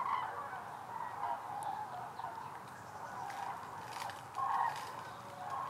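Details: Migrating common cranes passing over Hessen, central Germany, in October, heading southwest toward Spain: a distant flock's rolling bugling calls overlapping, swelling at the start and near the end, fainter in between.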